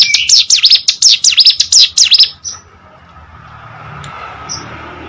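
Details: Hill prinia, a burst of rapid bright zig-zag notes lasting about two seconds, followed by two short faint whistles over soft hiss and low background rumble.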